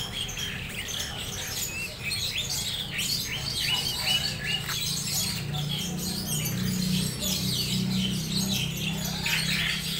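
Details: A tame captive sooty-headed bulbul chatters busily in quick, bright chirps and short bubbling phrases over a steady low hum and faint voices.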